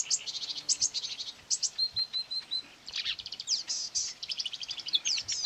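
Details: Marsh warbler in a quarry area on 9 May 2020, singing against playback from a mobile phone it attacked; chattering high phrases, a run of five clear repeated whistles, then dense scratchy mimicry-like bursts.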